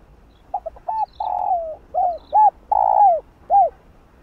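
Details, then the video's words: A spotted dove calls and coos to stir other doves. Two quick clipped notes lead into a long sliding coo, then short arched notes, another long falling coo and a final hooked note, all mellow and low. "Cu Gáy Gáy GỌI + GÙ Giọng Hay Hạp Bổi Kích Bổi Say Máu"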